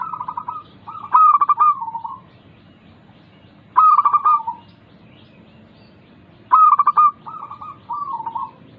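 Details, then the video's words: Local zebra dove (perkutut) song used as a lure to get reluctant doves singing: three phrases, each a fast stuttering burst of clipped notes followed by low, rolling coos, spaced about every three seconds. "Pancingan Burung Perkutut Lokal ampuh untuk mengatasi malas bunyi"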